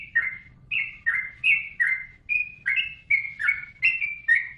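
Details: Yellow-vented bulbul singing gacor for use in training cage birds: chattering, liquid whistled notes that swoop down in pitch, over a faint low hum in the background.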